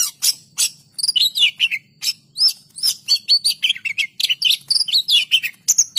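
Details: Oriental magpie-robin (kacer) in vigorous full song: a fast, unbroken stream of sharp high chirps, rising whistles and scratchy notes packed closely together, with a faint low hum underneath.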